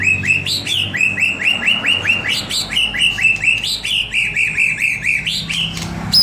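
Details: White-rumped shama song for luring other birds into singing: a fast series of rising, upslurred chirps repeated steadily, with bright high overtones and a brief louder note at the end.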